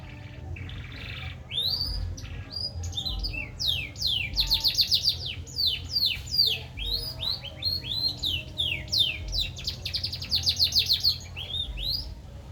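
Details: Green canary in full song: rapid, high trills and rising and falling whistled notes, delivered in quick varied bursts, with a low background hum.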